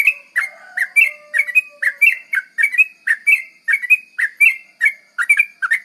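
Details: Quick 'garuda ropel' lure song of a sooty-headed bulbul, played to attract bulbuls: a dense, continuous string of bright chirps and slurred notes with a faint steady low whistle behind them.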